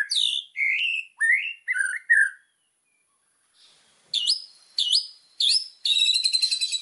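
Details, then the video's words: White-rumped shama singing actively on a training master track full of fill phrases: clear slurred whistles rising and falling in separate phrases, a silent gap of over a second, then sharp upswept notes and a fast buzzy trill. "MASTERAN MURAI BATU GACOR !!! FULL ISIAN LANGSUNG EMOSI !"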